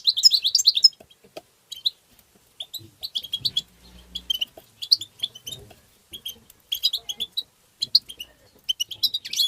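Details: European goldfinch singing in the excited tabtaba style, used to stimulate other goldfinches: rapid bursts of high, bright twittering and tinkling notes in quick clusters, separated by short pauses, with a faint low rumble underneath.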